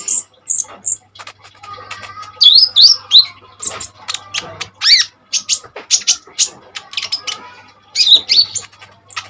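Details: Common iora in vigorous song, intended to train other birds: spaced high whistled notes, then paired rising whistles and a fast stream of sharp clicking chips, with a soft hum behind.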